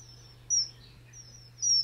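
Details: Common Kingfisher in a marsh in early spring gives thin, shrill, very high whistles, two clear ones about a second apart, over a faint steady low hum. It is there at low water to look for suitable prey.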